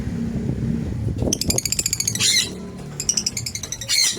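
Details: African lovebirds in a home-built colony: bursts of rapid, buzzy, stuttering chatter and shrill squeaks, after a start of low rumbling background noise.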